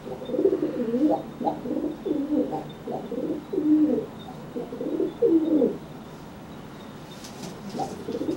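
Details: Low, guttural coos from a dry pigeon making itself bigger to threaten a wet one after a bath, a steady string of throaty phrases followed by a quiet pause and a final coo.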